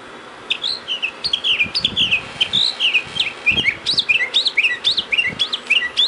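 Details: Mockingbird singing outside a door on 31 March 2010: a rapid, varied run of chirped and whistled phrases, many short notes repeated in quick series, with faint low rumbling underneath.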